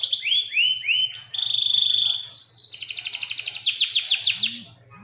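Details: Local canary in full 'gacor' song of the long 'nembak panjang' style, offered as masteran tutor audio for other songbirds: clear rising whistled notes, a sustained high tone, then a fast, bright, evenly pulsed trill.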